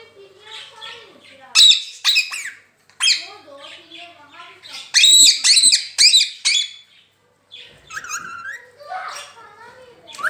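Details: Pet rose-ringed parakeet saying "Mian Mitthu Chori Khani Ha": clipped, high, voice-like syllables in loud clusters separated by short silences, ending in softer drawn-out notes.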